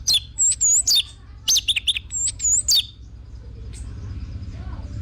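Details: Orange-headed thrush delivering two short bursts of high whistled, looping notes with sharp chips, separated by a brief pause, then quiet.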